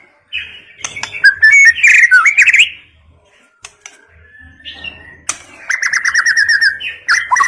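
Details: Forest White-rumped shama song mixing loud whistled slurs and rapid chattering trills, a quiet stretch with a faint thin whistle, then a fast, evenly pulsed rattling phrase on a steady pitch.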